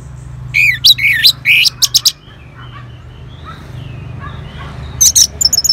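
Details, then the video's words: Orange-headed thrush responding to a lure sound sings loud, varied whistled phrases with sharp rising and falling notes and quick chirps, broken by a short pause; a faint low hum runs underneath. "ANIS MERAH Langsung Nyaut Dengar Pancingan Suara Burung Ini"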